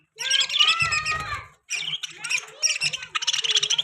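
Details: Loud budgerigar warbling: long, rich chattering phrases mixing whistled slides and buzzy trills, separated by one short silence, with a low knocking sound early on.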